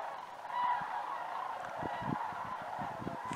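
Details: Flock of sandhill cranes on migration over Idaho, rattling bugle-like calls overlapping, with low thumping or handling noises in the second half.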